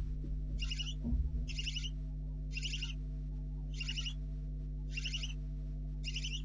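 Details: Barn owl owlets in a nest box on a nest camera at 4:30 am, 4 July 2013, with two owlets likely remaining. Rasping, hissing bursts repeat about once a second, six in a row, over a steady low electrical hum and a brief knock.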